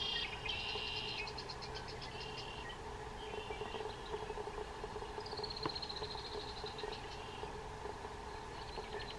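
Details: Red-winged blackbirds at Umatilla National Wildlife Refuge, Irrigon, Oregon, give high, rapid stuttering notes and a long buzzy trill, part of the male's mating and territorial song, over a steady low droning chorus, possibly frogs.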